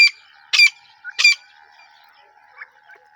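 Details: Female grey francolin of the Deccani type giving two harsh, broadband notes about 0.7 seconds apart, followed by quiet background with a faint steady hum.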